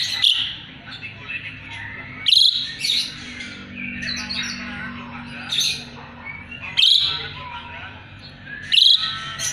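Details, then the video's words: Vigorous Asian pied starling song for teaching magpie-robins: harsh shrieking bursts recurring every two seconds or so, woven with lower squeaky twitters. "Jalak suren gacor isian murai batu auto nyaut"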